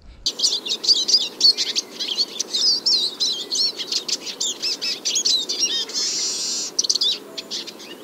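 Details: Eurasian siskin (Spinus spinus) song in Biryulyovsky forest park, Moscow, on 21 March 2023, in early spring before the snow has melted: a fast, continuous high twitter of tinkling notes and trills, with a brief wheezy buzz near the end.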